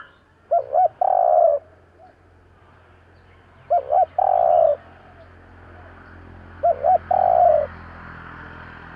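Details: Three cooing phrases from a spotted dove meant to rouse decoy birds, roughly every three seconds: a double hoot, then a drawn-out mellow coo, over a steady faint background hiss.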